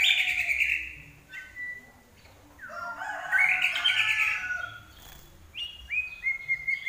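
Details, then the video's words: Common iora in lively song (gacor): rich warbled phrases and sustained whistles, a quieter pause, then clear repeated level whistles near the end. "larwo Gacor"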